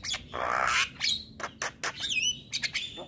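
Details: Male Javan myna song used as a masteran tutor recording, said to excite other mynas: a long harsh rasping burst, then clipped chirps and a quick wavering whistle.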